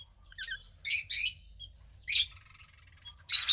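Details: Fifteen-day-old female cockatiel chick, second of a pied cockatiel pair's hatch, gray with a little white around the wings: thin high chirps, then short raspy hissing bursts at about one-second intervals.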